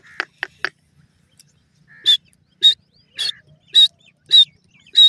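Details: Francolin, known locally as teetar, a pair calling; three short raspy notes open, then a run of loud, harsh, ringing calls repeated about every half second, each rising at its end.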